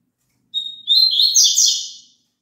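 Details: Song of the double-collared seedeater, meant to get a kept bird singing along. A high whistled start breaks into a quick, trilling, buzzy warble lasting around a second and a half, then stops; nothing else heard.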